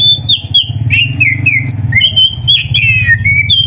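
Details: Oriental magpie-robin singing actively, its song full of varied imitated phrases, used as a master recording for training other birds: quick whistled and squeaky notes sliding between high pitches, over a steady low hum.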